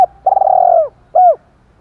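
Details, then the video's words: Decoy spotted dove with 'thổ pha' voice style, fight-provoking coo: a long, stuttered, low drawn-out coo curving down at its close, then one short arched note. "Chim Cu Mồi Giọng thổ pha, thúc đấu rất đỉnh và gáy gọi chất hai"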